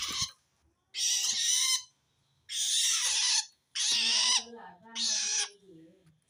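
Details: Threatened long-tailed shrike calling toward wild shrikes: four loud rasping, scratchy bursts about a second apart with short gaps between, the last ones trailing into lower tonal notes.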